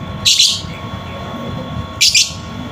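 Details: Lovebird sound used to prompt a silent lovebird to sing: two harsh, noisy high screeches about two seconds apart over low background hum.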